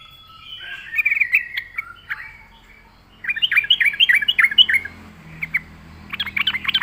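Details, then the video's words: Yellow-vented Bulbul in full voice, a lure song for drawing in other bulbuls. Bubbly, chortling phrases: one short burst, a longer run of quick warbled notes from mid-clip, then another lively cluster at the end. "suara burung trucuk gacor RAJA PIKAT pandai memancing bunyi trucukan bahan dan ombyokan"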